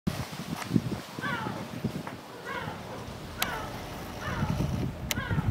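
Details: Yellow-legged gull (Larus michahellis) at Koper on 8 February 2023 gives three nasal, downward-slurred calls about every one and a half seconds, over steady low rumble, knocks and sharp clicks.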